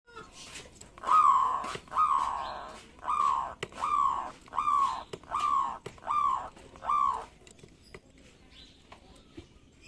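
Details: Local zebra dove, in full voice, singing to provoke rivals into answering: a series of eight throaty, bent coo notes about half a second apart, then quiet background.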